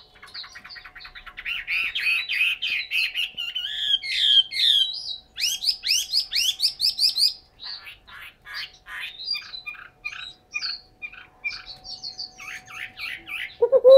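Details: Captive Chinese hwamei, Hanoi, Vietnam: long varied medley of fast trills, buzzy warbles and sweeping whistles, broken into bursts of repeated notes, ending with a loud lower sound, over a faint electrical hum.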